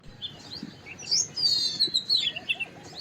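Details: White-browed wagtail giving high, thin whistled phrases, including a long sliding whistle that wavers and falls slightly, followed by short chirped notes; steady low background hiss.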